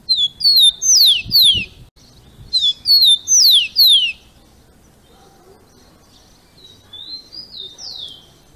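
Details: Rufous-collared sparrow, captive, singing the "Jesus Meu Deus" song style used to train and warm up other birds: two phrases of clear slurred whistles, each of two or three descending notes, then fainter soft whistles near the end.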